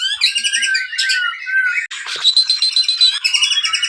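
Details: White-rumped shama kept at a Pangandaran breeding farm, singing a lure song to draw out other birds: loud, rich, fast-changing phrases of whistles, rattles and harsh chatter run together without pause.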